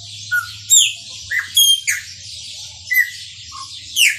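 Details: Chopi blackbird singing in the maranhãozinho song style: loud clear whistled notes and sharp downward sweeps, spaced irregularly, over a steady high hiss and a low hum.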